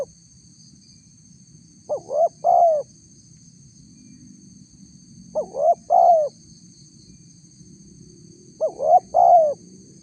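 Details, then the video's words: Spotted dove used as a lure to draw replies from wild doves: a mellow three-part coo, two short rising notes then a longer falling hoot, given three times about every 3.5 seconds over low rumble and a faint steady high whine. "suara tekukur PALING DI CARI untuk memancing respon tekukur liar"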